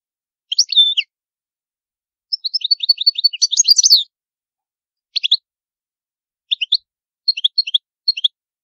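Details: European goldfinch of the old Palermo Sicilian song style, recorded as a clean teaching song for young goldfinches: bright high twittering phrases, a quick run of repeated chirps around three seconds, then short separated notes, no background noise.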